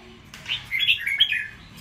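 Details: Red-whiskered bulbul caught wild, puffed up and fighting; a short burst of quick bright warbled chirps tumbling up and down, lasting about one second.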